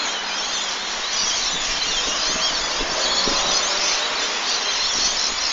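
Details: Lorikeets in the evening: a flock making a dense, continuous wall of shrill, high-pitched screeching and chattering, with many birds calling at once and no pauses.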